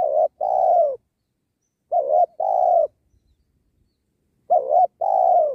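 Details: Spotted dove calling as a decoy during dove trapping beside a sacred tree. Three evenly spaced phrases, each a short wavering note and a longer falling coo, with clean silence between.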